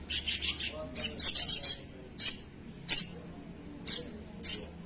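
A Crimson Sunbird gives very high, thin, sibilant chittering bursts in quick clusters, repeated about every second or so, over a quiet background.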